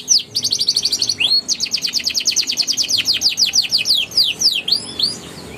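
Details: Canary song played to coax young canaries into singing: a brief buzzy trill, then long rolling runs of fast repeated downslurred notes, ending in a few rising whistles.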